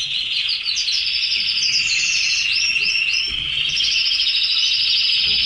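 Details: Caged red canaries; fast rolling trills and bright whistled sweeps in a continuous, busy song with scattered chirps.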